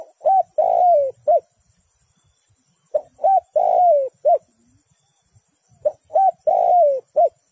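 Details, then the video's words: Spotted dove calling to lure wild doves into a trap: loud three-part phrases, a short coo, a long drawn note sliding downward, a final short coo, each phrase repeated about every three seconds with quiet gaps. "The Sound Of Spotted Dove is good"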